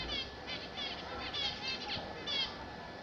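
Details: Captive zebra finches singing: short bursts of buzzy, nasal stacked notes repeated about every half second, fairly soft against a constant low hum.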